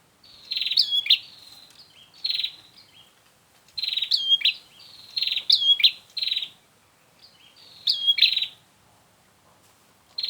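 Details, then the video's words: Bar-winged prinia lure recording for attracting birds to traps: loud, rapid chirping and buzzy twittering phrases repeated in clusters, each burst lasting about a second with short pauses between. "Suara untuk memikat burung prenjak"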